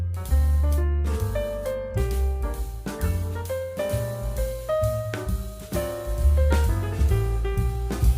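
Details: Jazz music with piano and drums plays throughout, with no animal sounds.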